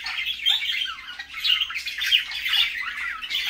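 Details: Morning parakeet chatter: continuous scratchy squawks and chirps from several birds, rising and falling in loudness without pause.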